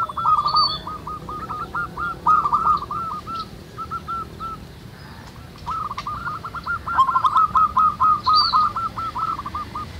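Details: Several local zebra doves singing together in the wild: rapid runs of short hooked cooing notes, repeated quickly in overlapping bursts, with a faint higher chirp from another bird.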